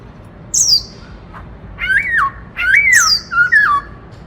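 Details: White-browed laughingthrush singing the 'bắt cô trói cột' style: a high squeaky note, then loud wavering harsh phrases that rise and fall, with short breaks between them.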